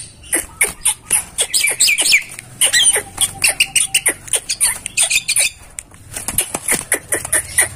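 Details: Starling song for masteran: dense run of harsh chattering notes mixed with bright squeaky whistles and quick twittering phrases, delivered in brisk pulses with a faint low hum behind.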